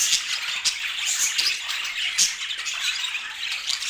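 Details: Several domestic budgerigars chattering together: a dense, continuous mix of high warbles, chirps and scratchy squawks with sharp clicks scattered throughout.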